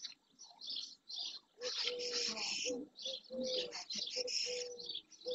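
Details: Early June at the Doñana marsh in Andalusia, Spain, where dozens of barn swallows, many juveniles, gather around an ornithological centre. Busy high twittering fills the air, with several lower sustained notes running beneath it.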